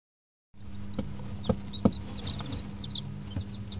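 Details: Five-day-old Dutch bantam and Barbu d'Anvers chicks in a brooder with an electric hen heater, 19 April 2012: sparse high, short peeps after half a second of silence, with a few sharp knocks and a steady low hum.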